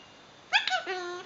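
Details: Indoor pet eclectus parrot talking softly: two brisk, clipped syllables rich in overtones, then a drawn-out flat, buzzy vowel sustained for about a third of a second, in a quiet room with a person speaking.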